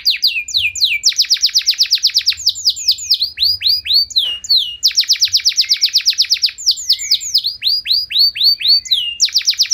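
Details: Energetic canary singing long ornate phrases to provoke other canaries into song; fast runs of clipped high chirps switch to looping downswept whistles, break briefly, then resume rapid repeated notes and swooping tours.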